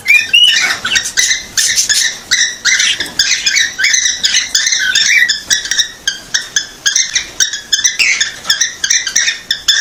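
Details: A cockatiel sings a fast, busy run of bright chirps and whistled notes, a courtship sound said to make a female cockatiel take the mating posture.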